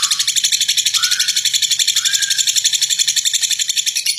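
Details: Rough, extended ngekek chatter from a lovebird, the kind used to make other lovebirds sing; a continuous, harsh, raspy rattle pulsing quickly and steadily throughout.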